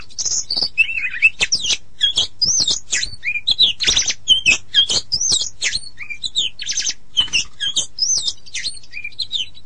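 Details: Dense, continuous Oriental magpie-robin song mixing looping whistles, sharp chips and rasping buzzy notes at a quick pace, varied phrasing with no steady rhythm; a constant low hum sits underneath.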